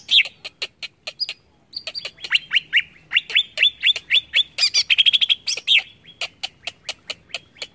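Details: Greater green leafbird singing to stir up other leafbirds: a dense string of high, sharp chips and upslurred whistles, loose in rhythm, with a busier chattering passage midway, over faint background hiss.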